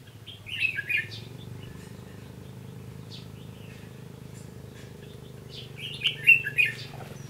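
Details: Red-whiskered bulbul singing a fighting song as a trap lure, 15 June 2016; two bursts of quick warbled, slurred notes near the start and end, separated by quiet, over a constant low rumble.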